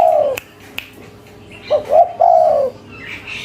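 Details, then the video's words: Local spotted dove, frequently calling in the cetrekan style, ends one long falling coo, then gives a fresh phrase of two short rising notes and a drawn-out descending coo, with occasional clicks. "Suara Tekukur Lokal Gacor, Cetrekan‼5 Detik Auto Nyaut"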